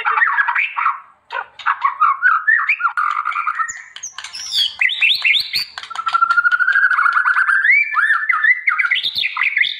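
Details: Energetic white-rumped shama song used for training other birds: dense varied phrases, clicks and sharp upsweeps, then a long steady whistle slowly climbing, ending in high rising notes.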